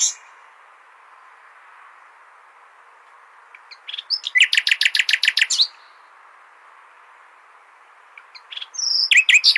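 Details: Nightingale song for tutoring goldfinches: after long silence, a few soft introductory notes lead to a loud, rapid trill of about twelve pulses. A high whistle and a fresh burst of rattling notes follow near the end.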